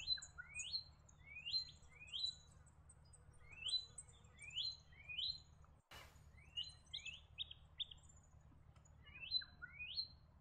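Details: Leaden flycatcher calling: quick upslurred whistled notes given in loose bursts, several to a second, with fainter high chips between them, one sharp click partway through and a steady low hum underneath.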